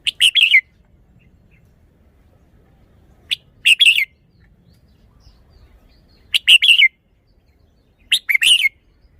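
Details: Thai red-whiskered bulbul performing its song style, giving four short, lively warbled phrases of three to four sweet chirping notes, spaced roughly every two to three seconds against near silence.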